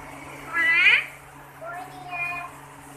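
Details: Kashmiri rose-ringed parakeet, a talking green parrot, gives three voiced, harmonic utterances: a loud rising, speech-like phrase, then a short lower one and a flatter, nasal closing sound, with faint room hum underneath.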